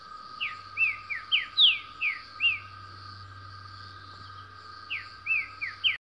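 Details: Green-winged saltator in the wild singing a very fast phrase of about seven loud, slurred whistles, then starting it again after a pause, over a steady insect drone.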